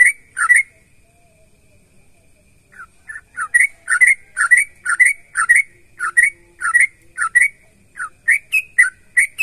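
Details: Sooty-headed bulbul in full, energetic song, played to draw responses from other bulbuls: one bubbly phrase, roughly two seconds of silence, then a steady stream of about fourteen rising, chuckling whistled phrases, each around half a second apart.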